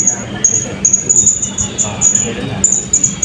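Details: At a 2024 open songbird contest in Balingian, a Blue-crowned hanging parrot gives a fast series of tiny, very high squeaky notes, several per second, over steady crowd babble.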